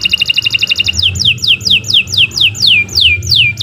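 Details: Canary song used as a master recording for training other birds and prompting silent ones to sing: a rapid trill of repeated high notes, then a string of slurred whistles dropping steeply in pitch, about three per second, over a low steady hum.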